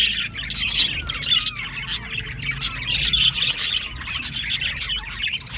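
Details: Budgerigar colony in an aviary, many birds chirping at once: dense, scratchy warbling chatter with sharp squawks and short rising whistles, continuous throughout with no pauses.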